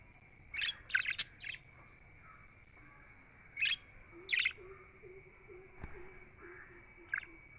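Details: Pet budgerigars chirping for lonely birds: bursts of bright chirps, a cluster at first, a pair midway and a lone note at the end, with a faint steady hum and a soft low warble.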